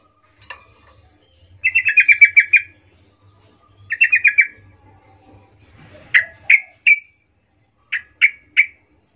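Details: Lure singing of a Sooty-headed bulbul, 'gacor ngerol' style, used to call companions: two rattling bursts of quick repeated notes, then separate short downward-slurred whistles spaced about half a second apart, with a faint low hum.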